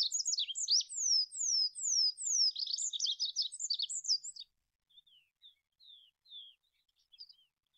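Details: Olive-backed pipit (Anthus hodgsoni) song: a brisk series of sharp down-slurred notes mixed with high chatter for about four seconds, followed by scattered softer single notes.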